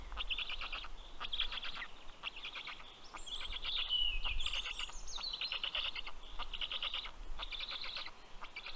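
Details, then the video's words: Black stork chicks begging as the adult delivers fish at their nest in Karula National Park, Estonia, late morning of 11 June 2023; fast pulsed raspy bursts with several high thin whistled squeals around the middle. "Karl brings fish for all 😊Funny greeting sound by the Kids 😁"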